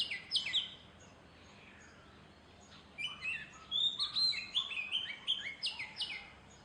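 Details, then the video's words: A male Oriental magpie-robin sings to attract a mate and keep other males off his territory: a varied run of clear, sweet whistles and slurred notes, some rising and some falling, in quick bursts after a brief pause. "नरदयाळ आपल्या गोड सुरांनी जोडीदाराला आकर्षित करण्याचा प्रयत्न करतो."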